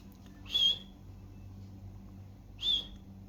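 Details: Pet budgerigar giving two short high whistled calls about two seconds apart, each a brief steady note with a slight wavering, over a low indoor hum.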